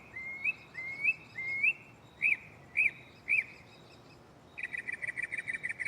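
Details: Mockingbird at night in a tree right beside the recorder, changing phrases: three rising whistles, three sharp chirps, then a rapid rattling trill, each pattern repeated before switching.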